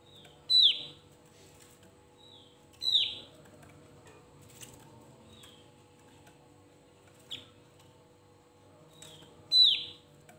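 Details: Javan grey-throated white-eye singing to provoke rival birds: a thin, level whistle swelling into a loud, sharp downslurred note, the phrase given about four times at irregular gaps of two to four seconds over a quiet hum.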